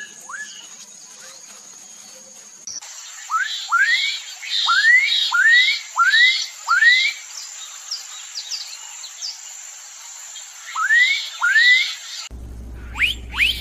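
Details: Black-capped donacobius in bursts of rapidly repeated rising whistles, several loud upswept notes per burst with short pauses between, over a constant high-pitched insect buzz; the recording cuts abruptly partway.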